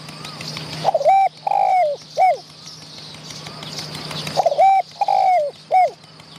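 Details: Wild spotted dove near a decoy during dove trapping, showing off and chasing another bird. Two loud three-part coos: a short note, a long wavering coo, then a falling note. Steady high hissing drone underneath.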